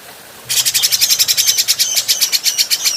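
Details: Adult grey-cheeked bulbul, clean recording meant for training birds: after a short quiet spell, a sudden fast harsh rattling chatter with a thin whistle running through it, over a faint low hum.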